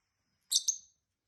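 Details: Two tame lovebirds, a peach-faced and a hybrid, chirping and chatting together; one brief pair of sharp, high chirps, the second a little longer and trailing off, with quiet all around.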